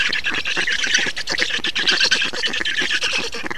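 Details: Feeding time for black storks in Estonia, 2 June 2019: a continuous stream of loud, grating squawks and squeals, fast and overlapping, with a nasal, buzzy edge throughout.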